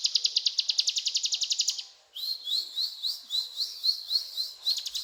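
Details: Cetrakan song of the ciblek gunung: a hard, fast ticking rattle for two seconds, a brief break, then a run of evenly spaced rising chirps.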